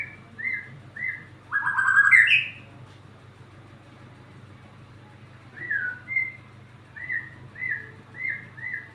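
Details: White-rumped shama singing: short whistled notes repeated about once a second, a louder rising slurred phrase around two seconds, a pause, then more clipped whistles in steady series; low hum beneath.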